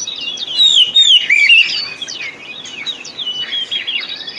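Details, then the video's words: White-rumped shama song used to coax other birds into singing, loud melodious whistles at first followed by quieter repeated chirps and short whistled phrases. "Pancingan Kacer Full 1 Jam Untuk Terapi Kacer Macet Bunyi"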